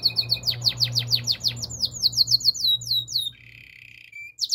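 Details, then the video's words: Canary training song with a run of rapid descending whistled notes repeated about five times a second, giving way to a flat, steady buzzy trill, over a low background hum. "Canary's training song"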